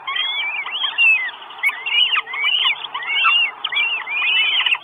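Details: Four Northern goshawk chicks at a nest in Estonia, 1 June 2022, begging for food on a live nest camera: dense overlapping thin whistled squeals, each arching up then down, pouring out almost without pause.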